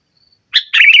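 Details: Short burst from a sooty-headed bulbul in nggaruda style: a sharp note followed immediately by a loud, rich, rolling warble, preceded by a faint high thin whistle.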